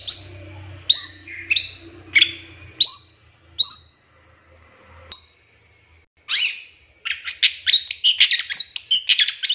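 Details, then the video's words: Cendet (long-tailed shrike) master lure song with 'tembakan' fill: several separate sharp, high, down-slurred whistles spaced about a second apart, then a quick, tumbling twitter of rapid notes. "Suara Cendet No #1❗Masteran Pancingan Cendet Isian Tembakan"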